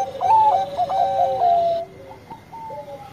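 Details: Bangkok-type zebra dove, described as singing often with a sweet voice, giving a run of mellow cooing notes that step between two pitches with quick staccato breaks, then a quieter pause with a few soft notes near the end.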